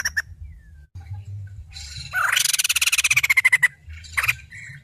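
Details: White-crested laughingthrush, a female, giving a burst of harsh rattling chatter: rapid pulsed notes with a slurred falling whistle running through them, after a few short sharp calls.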